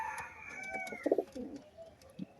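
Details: A female Rajshahi local Giribaj high-flying domestic pigeon, carrying an egg and so calling less, still coos like a male with a few low, throaty coos in quick rolling bursts, while a man speaks nearby.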